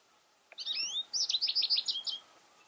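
A European goldfinch sings a quick, liquid twittering phrase of bright tinkling notes, opening with a short buzzy trill, over a quiet background.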